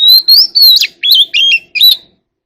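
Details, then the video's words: Oriental magpie-robin singing in forest voice to call its flock: six clear phrases of sweet whistles, some rising and some slurred, with buzzy, warbled notes, each separated by a short pause, then the song stops. "kacer alam | Chòe than hót giọng rừng"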